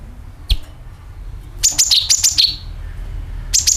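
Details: Sooty-headed bulbul lure call: a lone sharp chirp, a pause, then a rapid run of shrill notes dropping in pitch, and a further bright phrase at the end.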